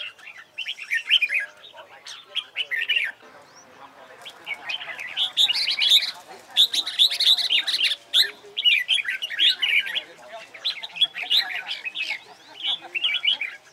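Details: Training session for red-whiskered bulbul fighting song (hót đấu): loud, repeated phrases of bright warbled whistles and chatter, coming in bursts of a second or two with brief gaps throughout.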